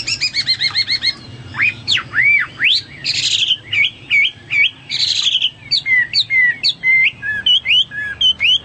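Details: Hwamei delivering a rich, varied song: a fast rattling trill of repeated notes, then upswept ringing whistles, harsh buzzy bursts and a long sequence of clear, sharply inflected whistled notes.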